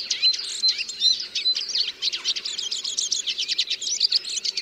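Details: Fast, jumbled twitter from a Eurasian siskin: thin whistles give way to a dense run of quick repeated chips about two to three per second, over soft background murmur.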